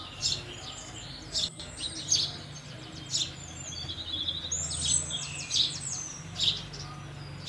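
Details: House sparrows chirping steadily, then a busier stretch of overlapping twittered notes midway, with low background hum throughout.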